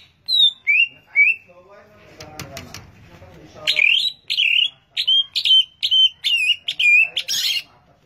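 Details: Cucak ijo, the greater green leafbird, gives a few falling whistles, then a brisk run of repeated bright, wavering notes and a scratchy high burst at the end.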